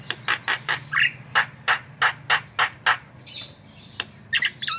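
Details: Javan myna, a cage bird whose singing is used as a training recording for other birds: harsh, squawking notes repeated about three times a second, then a few higher squeaky, twisting notes near the end.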